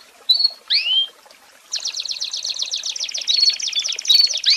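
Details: An American Singer (Belgian) canary sings a tutor song for training young birds: high, clear whistled notes, then a fast buzzy trill of rapid repeated notes with bright whistles woven through it.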